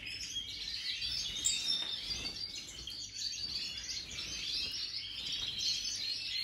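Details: European goldfinch singing a song labelled Major, recorded 2023: continuous rapid high twittering with tinkling, buzzy notes running without pause across the whole stretch, over faint low background noise.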